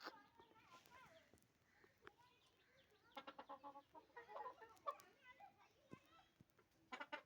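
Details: A hen in village surroundings gives bursts of rapid, throaty clucks in the middle of the recording, mixed with human speech and scattered knocks and clicks.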